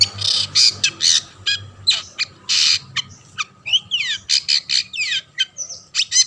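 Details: Singing long-tailed shrike, used to coax others of its kind to sing: coarse buzzy bursts followed by a series of rising and falling whistled slurs and short chips.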